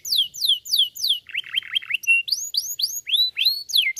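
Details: Canary song meant to stimulate other canaries to sing: rapid series of high, clear downward-sweeping whistled notes, then a lower buzzy rolled phrase and rising upslurred notes, all high-pitched and repeated several times per second.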